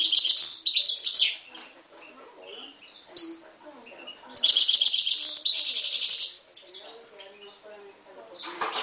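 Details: Himalayan goldfinch mule, a goldfinch × canary hybrid from 2011, set against a timbrado canary; loud bursts of fast, high, dense trilling and chatter, each lasting one to two seconds, separated by quieter scattered twitters.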